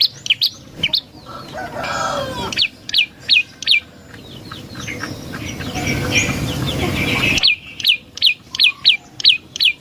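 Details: Prenjak lumut prinia used as a lure call so birds answer at once. Quick series of bright chirps, each sliding down into a short hook, broken in the middle by a long patch of rough rustling noise, then resuming steadily.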